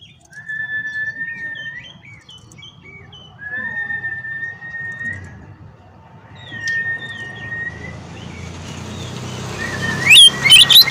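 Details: Oriental magpie-robin whistling to provoke rivals: long, level, clear whistled notes held for a second or more, each followed by short chirps, over a steady low rumble of background noise, ending with a few loud sharp notes.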